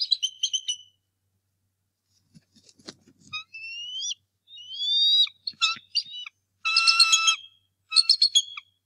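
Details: Bald eagle pair's male, met by an intruder one March morning at the Decorah North Nest: short chattered notes, then drawn-out rising whistles and harsh piercing squeals in irregular bursts, with a soft knock or rustle.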